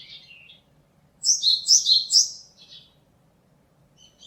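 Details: Japanese tit recorded 27 March 2022 giving its song: a brisk run of four paired high-then-lower notes over about a second, preceded and followed by softer short calls.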